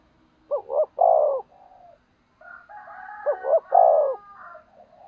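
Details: Decoy spotted dove provoking rivals coos two phrases of rising double notes and long falling coos, with softer overlapping calls from another bird between and after them.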